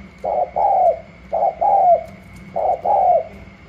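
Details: Spotted dove from Cà Mau, wild-caught and newly arrived, in a cooing contest with another dove in the gù la style: three strong phrases, each a quick coo then a longer drooping one, spaced about 1.2 seconds apart over a low hum.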